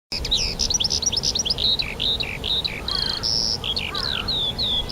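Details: Birds singing in spring at Rogozyanske reservoir, Kharkiv region, on 4 April 2010: a dense chorus of high, quick chirps and short whistled phrases, several rising and falling, with a few thin sustained whistles near the end.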